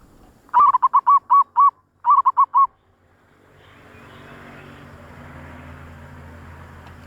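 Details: Zebra dove call used as a lure for wild doves: two quick bursts of rolling, staccato coo notes, six then four, at a steady mid pitch, followed by rising background hiss.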